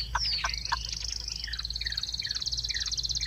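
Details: Caged Chinese hwamei giving short, sharp downslurred notes, spaced unevenly, beneath a constant high buzzing trill that runs through the whole phrase.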